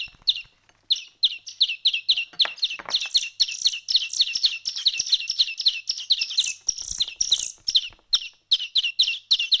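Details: Young small-bird chicks a week into hand feeding give dense runs of short, high chirps, several per second, bursting in clusters with brief pauses; the calls are sharp and tweeting, with light rustling beneath.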